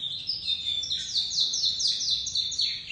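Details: White crested domestic canary chick in early song: rapid, evenly repeated high trilled notes sweeping slightly downward, rolling on for three seconds with faint low hum behind.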